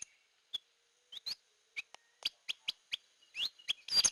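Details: Hair-crested drongo lure call: a varied run of sharp chips and short upslurred whistled notes spaced irregularly, building to a dense harsh burst at the end.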